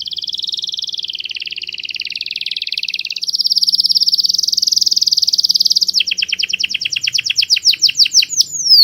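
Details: Canary singing a clear master song: a long buzzy rolling trill shifts to a higher, louder trill, then breaks into slower, evenly spaced descending chopped notes toward the end.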